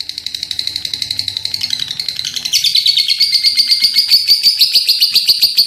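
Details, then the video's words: Lovebird in top form delivering a long chattering ngekek, a rapid high rattle that starts moderate and jumps to a louder, brighter, faster run of buzzy pulses halfway through. "Love Bird gacor ngekeek panjang"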